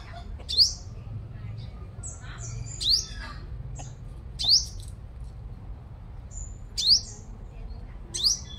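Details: Sunbird kept as a strong-singing decoy bird in Long Thành, Đồng Nai, Vietnam: five sharp, high, upward-sweeping notes, each with a thin trailing whistle, spaced about two seconds apart over a low background hum.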